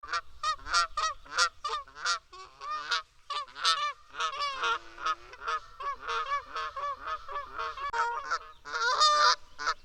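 Canada geese honk loudly and continuously, several birds overlapping in nasal, two-toned calls about every half second, rising into a clamorous chorus at the end.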